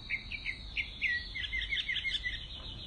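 Mockingbird giving quick, bright chirped notes that speed into a busy, varied run over three seconds, with a steady insect-like hiss behind.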